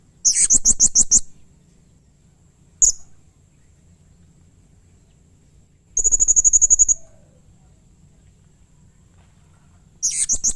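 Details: Harsh, emotional calling of a blue-crowned hanging parrot: a burst of rapid shrill notes, one lone sharp note, then a tight, very fast run of high ticks, and another shrill burst at the end. Quiet gaps between.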